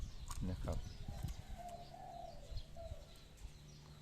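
A Spotted Dove gives a soft, low, hollow coo phrase in short drawn-out notes, after a man's voice speaking nearby.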